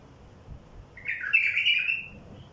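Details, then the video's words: A wild bulbul sings a single bright, fluty, slightly descending warbled phrase lasting just over a second, used to lure other wild bulbuls; quiet background otherwise. "تغريد بلبل وحشي لفتح البلابل الوحشية"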